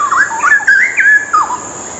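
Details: Straw-headed bulbul (cucak rowo) giving a training song for other birds: one clear, loud, bubbling phrase of rapid slurred whistles that rise, dip and fall away, ending in a short trailing note.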